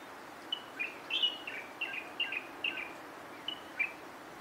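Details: Song of a Taiwan light-vented bulbul: around eight bright whistled phrases, each a short slurred note pair, spaced roughly every half second with a brief pause before the last two, against quiet, faintly hissy surroundings.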